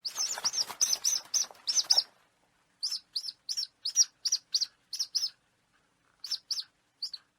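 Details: Falcon or eagle sounds played to frighten pigeons and other birds away without harm: a burst of overlapping high chirping notes, then a short pause and a series of sharp, high, evenly spaced single calls repeated about twice per second.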